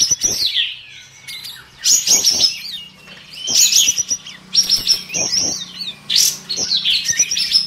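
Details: Sooty-headed bulbuls competing in an April online song contest sing overlapping bursts of bright, chattering phrases that sweep up and down, several birds trading rapid high notes with brief pauses between.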